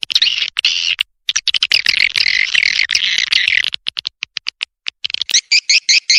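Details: Swiftlet lure sound meant to attract swiftlets: a long run of shrill, rattling twitter, then scattered clicks and ticks, ending with a quick series of sharp, wavering chirps repeated about every quarter second.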